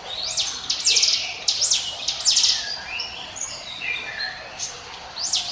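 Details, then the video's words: Prinia song used as a lure for other birds: a run of loud high whistles, each rising sharply then falling, followed by softer scattered notes at varied pitches. "NGIWIT WIT SUARA CIBLEK GUNUNG SIAP JADIKAN PANCINGAN MU"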